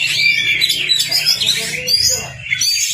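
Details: Kacer, the Oriental magpie-robin, in a tutor recording meant to coax a silent bird into song: loud, rich, fast sequence of high sweeping whistles and chirps, with a faint low rhythmic beat beneath.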